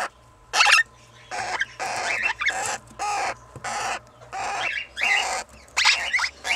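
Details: Red-winged parrots, a pair two years old with 20-day-old chicks from a first brood. Series of short harsh, scratchy squawks, about ten, spaced unevenly over several seconds.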